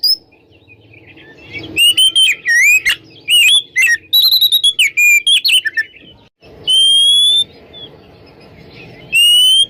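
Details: Oriental magpie-robin singing a morning ngeplong song, used to prompt silent magpie-robins into singing; loud clear whistled phrases with sweeping, rising and falling notes in bursts, long pure rising whistles later, faint low background hum.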